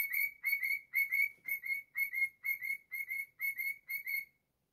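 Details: A pet cockatiel whistles its own version of a children's tune, steady pairs of clear, slightly rising notes about twice per second, each with bright overtones, ending in quiet; no other sounds.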